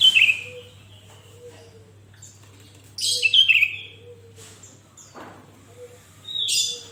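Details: Vigorously singing Sooty-headed bulbul (kutilang), a recording for training other kept bulbuls to sing. Bright bubbly whistled phrases come about three seconds apart, each a quick rising and falling cluster of notes, with quiet gaps between.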